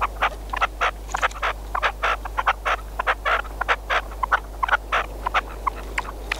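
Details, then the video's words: Red-legged partridge kept as a hunting decoy: a sustained string of sharp, scratchy, chattering notes delivered quickly and unevenly, some in pairs, over a low steady hum. "Perdiz con reclamo"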